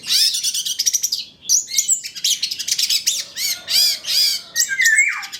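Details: Long-tailed shrike of the 'trotol' type, used as a lure to get other shrikes singing, and as a master song full of fill-in phrases: dense, loud, high chattering and scratchy notes with rising and falling whistled slurs, brief pause mid-way.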